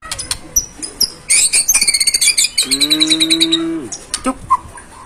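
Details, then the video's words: White-rumped shama, full isian masteran style: scattered sharp notes give way to a fast run of bright, high repeated chirps, then a level low droning tone for about a second, ending with a few isolated clicks. "MURAI BATU FULL ISIAN MASTERAN PALING AMPUH"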